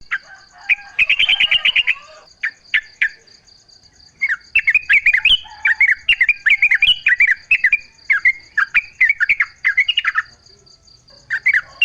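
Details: Yellow-vented bulbul song in a natural setting, used as a lure to draw other bulbuls into answering: a rich gurgling burst, then runs of short bubbly warbled phrases over a steady high pulsing insect-like drone.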